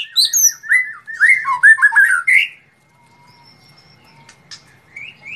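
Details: Caged white-rumped shama being prepared for a song contest, delivering a rich burst of varied whistled and slurred phrases for about two and a half seconds, then near silence with faint high notes and soft background noise.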